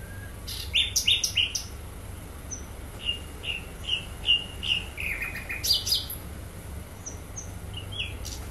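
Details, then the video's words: Sikatan londo flycatcher singing briskly: loud sharp chirps, then a steady series of short clear whistled notes roughly every half second, followed by a fast descending trill and scattered high notes; low background hum. "sikatan londo gacor"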